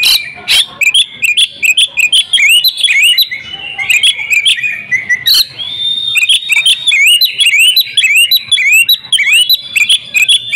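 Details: Female oriental magpie-robin, a kept house bird, singing loudly and persistently with many mimicked phrases: rapid sequences of bright whistled notes, upslurs and sharp chips, nearly continuous, with short gaps after a few seconds.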